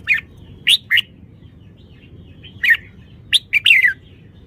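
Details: Red-whiskered bulbul giving bright, clipped whistled phrases: a quick pair of notes early on, then a longer run of three or four falling, slurred notes. A soft low hum runs underneath.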